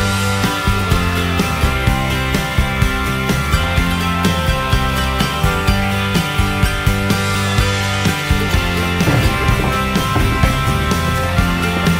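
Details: Loud rock music with heavy drums and distorted guitars fills the whole clip, with no animal sound audible.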